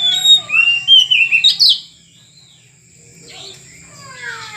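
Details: Loud burst of rich, slurred whistles and sharp chirps from a caged oriental magpie-robin during taming, lasting under two seconds, followed by quiet with a faint later note.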